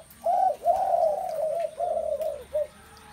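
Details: Spotted doves in a crowded chorus: long, smooth, low coos run together into a near-continuous murmur, ending with one short separate coo, over a thin constant high-pitched hum.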